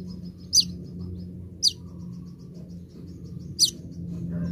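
A sunbird gives three sharp, very high notes that sweep steeply downward, spaced irregularly, over faint rapid ticking and a low steady hum.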